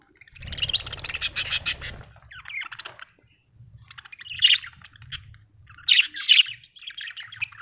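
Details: Happy pet budgerigar chirping: a dense rasping burst of noise for about two seconds, then short high chirps and bright warbled notes in small clusters, with low rumbling underneath.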